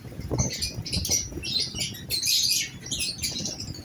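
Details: Newly placed pair of lovebirds giving short, shrill chirps and squeaky chatter in bursts, mixed with wing flapping and fluttering plus low rustling and knocking noises.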